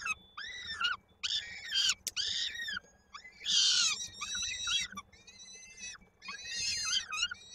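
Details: Peregrine falcons at a nest in Koszalin, Poland, 16 May 2022, during feeding when a chick's foot stuck in the adult's beak; loud grating wails with arched harmonics, in uneven bursts separated by brief gaps.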